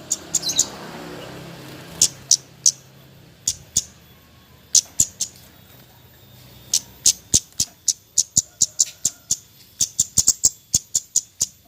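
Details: Javan white-eye giving nyecret-style calls, used as a lure for birds reluctant to sing: sharp, very high, clipped chips, sometimes doubled, repeated irregularly and speeding up toward the end, with a soft low hum underneath.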